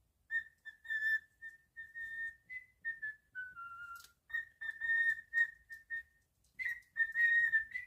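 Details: Cockatiel kept as a pet sings a string of pure, level whistles, briefly stepping higher and then sliding lower mid-phrase, before resuming steady repeated whistled notes and ending on a rising, warbling flourish.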